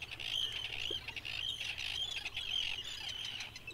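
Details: Red Phalarope at a nesting area in Iceland, calling with sharp, high squeaky notes, about two per second in short bursts, over faint low background noise.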